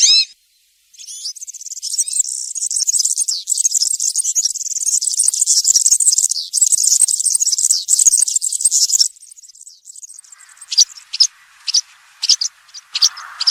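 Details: Country-style European serin song used as a tutor for juveniles: after a brief opening note, an unbroken eight-second run of high, fizzing, jangling notes, then scattered sharp high chips over a faint lower hiss.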